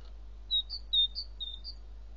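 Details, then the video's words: Seven-day-old great tit nestlings give thin, high, squeaky cheeps, about six short notes alternating slightly in pitch over two seconds, with a faint low hum beneath. "Bogatka, 7-dniowe pisklęta. Great Tit 7-day-old nestlings."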